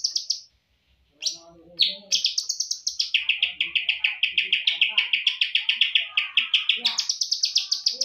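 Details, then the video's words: Greater green leafbird, a champion songbird, delivering packed tutor-song phrases. A few high whistled notes open into a long, steady run of fast, evenly pulsed chattering trill that lasts several seconds before shifting higher at the end. "Masteran Cucak Ijo Full Isian Burung Juara"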